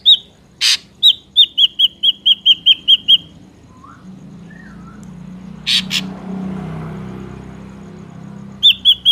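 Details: Ashy drongo song for trapping lures: a harsh burst then a brisk series of about a dozen sharp metallic notes, soft slurred whistles, more rasping bursts, with a rising rumbling background noise.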